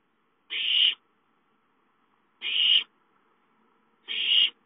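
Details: Owlets at home asking for food, 5-9-13: three loud, breathy screeching hisses, each about half a second long, evenly repeated roughly every two seconds.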